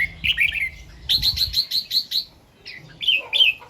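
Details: Red-whiskered bulbul singing 'double' and 'rik' styles in the morning, set camera: a short warbled phrase, then six evenly spaced clipped notes, a pause and two more bright whistled phrases.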